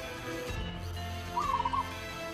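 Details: {'caption': 'Local Javanese zebra dove (perkutut) singing a single short, rapid, rippling cooing phrase after a low thump, against a constant background hum.'}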